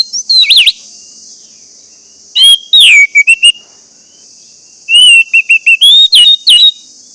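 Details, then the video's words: Orange-headed thrush singing, a lure recording to get other birds singing: three phrases of whistled notes with swooping slurs and quick staccato notes, separated by pauses, over a constant high hissing buzz. "pancingan anis merah agar anis merah macet cepat bunyi dan gacor"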